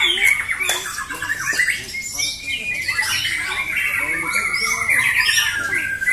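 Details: White-rumped shama (murai batu) fighter birds at a singing competition in Jatisari, Bekasi, Indonesia, on Friday 14 June 2024. Loud, rich song of clear whistles and chattering phrases, then a long level whistle, with other birds overlapping and human voices.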